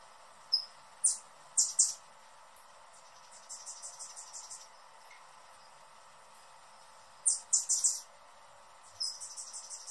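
A hummingbird gives thin, very high chips in quick bursts of three or four, with softer rapid chittering series between them, over a faint background hiss.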